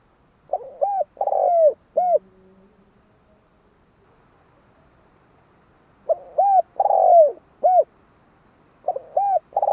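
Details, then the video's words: Spotted dove repeating its low mellow phrase: stutter, arched coo, long falling buzzy note, final coo. A full phrase opens, another follows after a long pause near six seconds, and a third begins at the end. Brief low humming after the first. "Tiếng chim cu"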